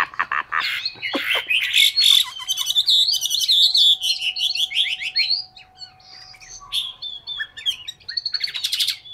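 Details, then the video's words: Caged Chinese hwamei in Hanoi, Vietnam, pours out a long rich song of rapid trills, repeated sharp notes and loud whistles, easing into a quieter pause before another burst of trilled phrases; faint constant hum. "họa mi m25 tố chất"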